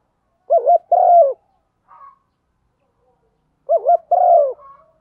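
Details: Female spotted dove cooing to stimulate a male: two low hooting phrases, each a quick wavering double note followed by a longer falling coo, about three seconds apart, with a faint short note between them in an otherwise silent background.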